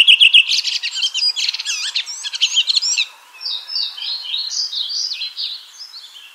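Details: Red-throated thrush singing: a few quick high chirps lead into a busy, scratchy twitter, which gives way to softer, slurred whistled phrases that drift downward in loudness.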